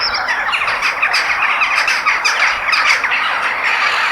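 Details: Crow calls in nature, a thick wall of grating caws and squawks from numerous birds, steady in loudness from start to finish.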